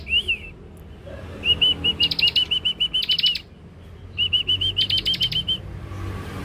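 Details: Young Scarlet-headed flowerpecker's lure song: an arched high note, then two runs of rapid, evenly spaced thin tsip notes, each overlaid by a buzzy rattle, with a short pause between.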